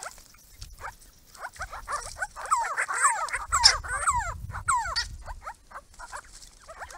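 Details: Grey-crowned Babblers, a small group visiting a purpose-built pond: scattered squeaky notes swelling into a loud bout of overlapping chattering and sliding whistles, with a few sharp high squeaks, then tapering off.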